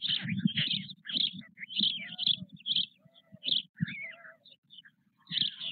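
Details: White stork chicks, four nearly equal-sized young in the nest with their father at Nové Mlýny on 8 May 2024; short raspy, hissing bursts repeated in quick succession over a low rumbling background.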